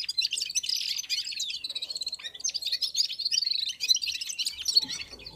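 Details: Several red-fronted serins and other birds sing together while warming up, giving an unbroken stream of high, rapid twittering with quick rising and falling whistled notes.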